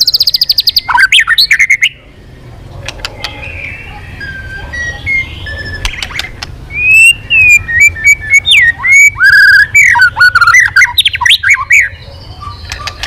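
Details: White-rumped shama, newly back in voice after a quiet period, begins with a high trill, then after scattered soft notes bursts into a long stream of loud, varied fluty whistles, slurred and looping, with sharp clicks.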